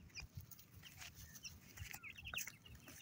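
Partridge chicks give a scatter of thin, high cheeping notes, several overlapping each second, over a low background rumble.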